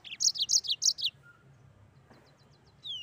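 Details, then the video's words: Mozambique canary in lively song: a fast run of about six bright, high chirped notes in one burst, then quiet, ending with a thin falling whistle. "Burung Mozambik Gacor Ngeroll"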